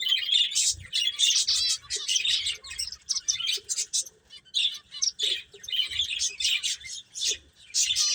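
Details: Several playing finches chirp in quick, sharp high notes, grouped into bursts with short gaps, alongside occasional soft lower clicks.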